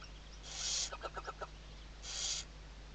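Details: Western barn owl, Riet Vell Nature Reserve in the Ebro Delta, Tarragona, Spain, morning webcam in 2023: two rasping hisses separated by a short series of four or five knocking clicks, with faint steady hum.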